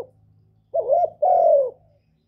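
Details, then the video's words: Spotted Dove kept as a decoy bird, giving one full phrase to stimulate other doves: a wavering rising coo, then a long, level coo easing downward, over a faint low hum. "Tiếng cu gáy mồi / cu gáy đủ bài giọng hạp bổi kích mồi luyện bổi mau nổi hiệu quả, Cu đất, cu cườm"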